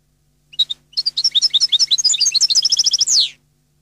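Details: Goldfinch phrase in the Napoletano song style from a CD: two clear starting notes, then rapid high, chattering twitters that merge into a regular trill and finish with a harsh falling buzz.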